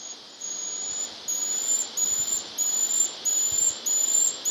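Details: Moustached puffbird (Malacoptila mystacalis), in the first record for Ecuador, at EcoMinga's Dracula reserve in early August 2017, gives very high, thin, drawn-out whistles that lift slightly at the end, repeated about every second over a steady insect hiss.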